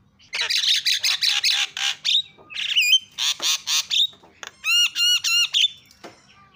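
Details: Javan myna calls used as a lure to set other mynas screaming: a rapid series of harsh, raspy shrieks, about thirty a minute, mixed with a few clear whistled, wavering notes and a bouncy whistled phrase.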